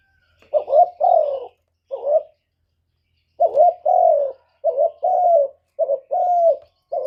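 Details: Decoy spotted dove giving its lure call, meant to provoke wild doves into cooing: low, mellow two-part coos, a short note then a longer drawn-out one, in four phrases with a pause near the middle.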